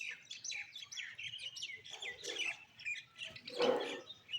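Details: Black-and-white bulbuls give a busy run of bright, chirpy, short slurred notes overlapping one another, with a brief broader, harsher burst near the end.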